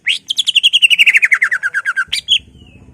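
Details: Provoking song of a greater green leafbird, meant to excite other leafbirds; a long rapid trill of about eighteen notes descending gradually in pitch, followed by one sharp upswept note, with faint low rumble afterward.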